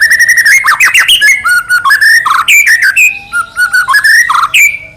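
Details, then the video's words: White-rumped shama pouring out continuous varied song to provoke another shama: unbroken whistled phrases, slurs up and down, with harsher squawky notes mixed in. "murai batu gacor AMPUH buat PANCINGAN murai batu agar bunyi"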